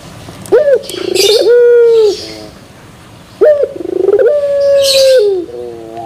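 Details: Barbary dove singing in the pelung style with a metallic-toned ending: a sharp rising note, a quick rolling trill, then a long level drawn-out coo that drops into soft lower notes, phrase repeated twice, faint hiss in the background.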